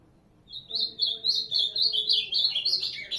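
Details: After half a second of silence, an ultramarine grosbeak bursts into a clear, rapid warble of high sliding notes, staying loud and even to the end.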